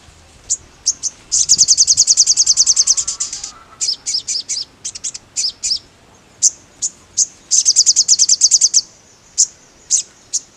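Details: Mangrove blue flycatcher (sogon) singing vigorously. Very high, thin notes come in rapid chattering trills of about twenty notes. These alternate with spaced single chips, and a second fast trill follows later over faint background hiss.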